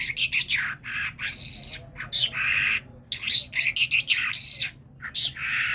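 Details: A talking common myna runs through a varied, jerky medley of harsh squawks, chattering notes and bright whistles, with short pauses between bursts.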